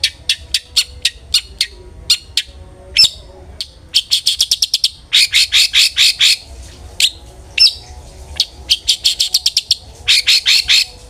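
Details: Long-tailed shrike song played to draw other shrikes into singing: fast trains of dry clicking, rattling notes in bursts, with occasional single sharp whistles between the rattles.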